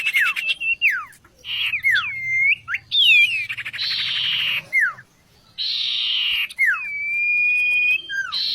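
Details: Oriental magpie-robin, valued as a vocal tutor, delivering varied whistled swoops and dipping slurs mixed with harsh buzzy chatter, with a low humming background.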